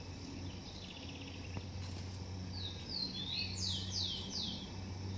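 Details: Blond-crested woodpecker by its nest in a garden; after quiet background with a faint distant chatter, it gives rising-then-falling whistles building into three loud, downward-sweeping notes in quick succession.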